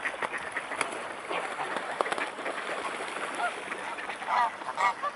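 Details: Mute swans at Dresden-Blasewitz, Germany, on 5 December at 16:32; a dense chatter of waterfowl fills the background, with a few short nasal, honking calls standing out near the end.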